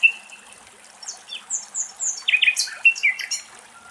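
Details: Wild common nightingale in Greece, taped from very near: a thin held whistle, then scattered sharp downslurred notes building into a dense burst of varied chirps and clicks, fading out.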